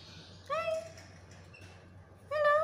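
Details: Black-capped lory saying two separate voice-like words, each steady and slightly rising in pitch, with a quiet gap and a low hum between them.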